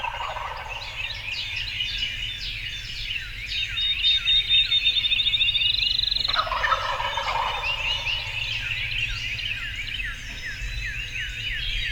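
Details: Spring 2020 turkey hunt in Illinois: young Wild Turkey gobblers nearing decoys in the morning. A rough rattling gobble breaks out around six seconds, set within a dense chorus of high, chirping songbirds.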